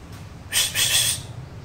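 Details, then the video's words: Greater green leafbird, a speckled young bird learning to sing, giving one quick, high burst of rapid, slightly harsh trilled notes lasting under a second, over a faint low hum. "cucak ijo trotol tipis belajar bunyi"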